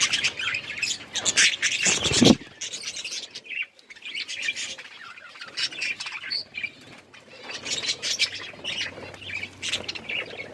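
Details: A flock of budgerigars in winter rain twitters and chirps in loose, scratchy bursts. A sudden loud rustling burst, like flapping wings, breaks in early on. Chatter resumes more softly afterward.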